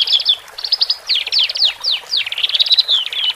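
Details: Caged male and female Horsfield's bush larks in song, used to relax birds newly taken from the flock; quick downslurred whistles repeated in a series, mixed with buzzy rapid trills.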